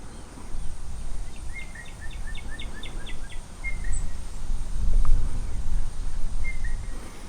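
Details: A little blue jay gives a quick run of about eight soft, chirping notes, then two brief whistles, over steady low background rumble; a pleasant sound unlike the species' usual screaming.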